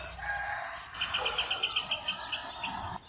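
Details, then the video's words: Rufous hornero giving a quick run of about ten sharp, evenly spaced notes in the middle, with other high chirps and a mixed background around it. "CANTO DO JOÃO DE BARRO 🐦 SOM DO JOÃO DE BARRO CANTANDO"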